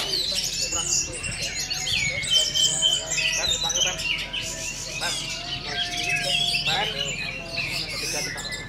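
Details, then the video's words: Young orange-headed thrush, four months old, singing teler: rapid, high chattering and whistled slurs poured out continuously, with a faint steady tone and a man's announcement in the background. "Baru 4 Bulan Anis Merah Anjarmoro Telernya Seperti Ini!!"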